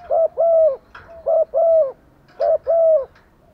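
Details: Female spotted dove calling for males with three pairs of deep, rounded coos, each a short note followed by a longer one, with faint clicks in the background.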